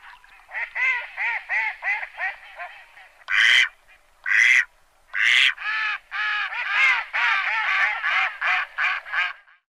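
Mallard quacking: runs of nasal, harmonic quacks about three per second, broken by a few louder, harsher quacks, then another quick series.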